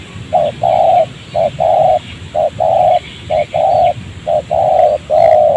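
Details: Wild spotted dove calling during decoy trapping in a rubber plantation near a village, highly agitated by the trained decoy and still calling though caught by the leg: low mellow coos, short note then longer note, repeated in steady pairs; faint rural background.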